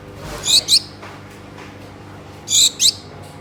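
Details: A captive pair of Gouldian finches calling to each other as mates: two quick high double calls, each a clipped nasal note followed by a second, separated by a quiet gap with soft room noise.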